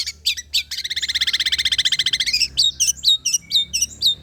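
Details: Long-tailed shrike lure: a few sharp chips lead into a long, rapid buzzy trill of about twenty pulses, then a run of clipped, downslurred whistles.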